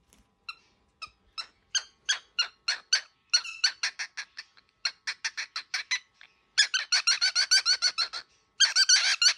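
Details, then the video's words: Baby cockatiel in an angry mood, producing rapid rasping pulses that speed up into dense, loud grating bursts, with short gaps between the runs. "Baby bird -very angry cockatiel"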